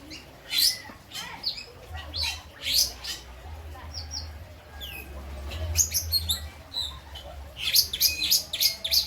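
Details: Caged lovebird in Indramayu, West Java, singing kapas tembak and citblek imitations: bursts of shrill chirps, a gap with short descending whistles, then a rapid chattering volley of high notes over a faint hum.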